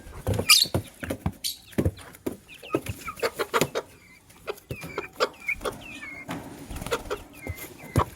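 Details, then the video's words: Lovebirds in the morning, a gray bird said to be ready to lay eggs alongside a yellow-green one: short, clear, slightly curved chirps repeated irregularly every half second or so, mixed with frequent sharp taps and clicks close by. "Yellow Green Lovebird's melodious chirping sound"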